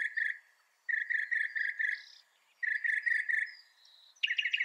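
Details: Northern mockingbird singing repeated phrases of fast chattering notes, each burst lasting about a second, separated by brief pauses, ending on a new higher phrase.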